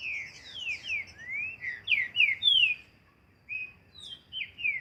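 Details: Green-winged saltator singing outdoors in nature during training: a phrase of clear sweeping whistled notes, each sliding downward, delivered in a quick run, then a pause before a shorter second phrase of similar slurred whistles.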